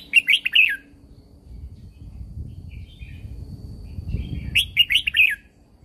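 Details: Red-whiskered bulbul, a caged bird from Thailand, singing a training song meant to excite other birds: two bursts of four or five quick warbled notes, seconds apart, with a low rumbling hum in between.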